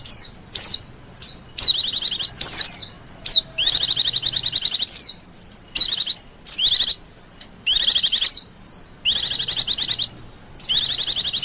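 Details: Lure call of wild Oriental white-eyes: shrill, high chattering trills in short clusters with sharp downslurred whistles, roughly ten bursts over eleven seconds separated by brief pauses.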